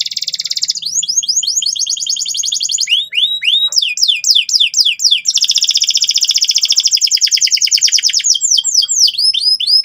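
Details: Vigorous canary singing, loud and relentless, for young canaries to copy the trill: quick falling whistled notes repeated in rapid bursts, broken by long fast rattling rolls, the whole stream continuous and high-pitched.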